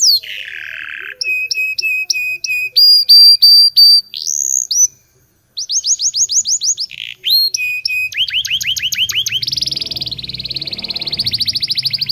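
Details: Local canary singing energetically, a training song for canaries learning to sing: a low buzzy slur, then rapid repeated chips and ringing whistled notes, a brief silent gap, then steeply rising upsweeps and a fast rattling trill.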